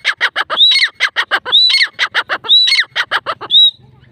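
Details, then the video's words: Grey francolin pair in a loud, steady duet. Fast ringing clicks are punctuated roughly every second by a high, upslurred whistle. After the fourth whistle the calling ends abruptly, and a faint low hum remains. "Dakhni teetar pair voice"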